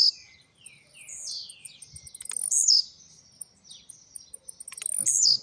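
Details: Song of a caged blue-black grassquit emerging from molt, trincadeira and velocity style: short shrill buzzy phrases dropping in pitch, repeated every couple of seconds, with soft down-slurred notes and a steady faint high ticking.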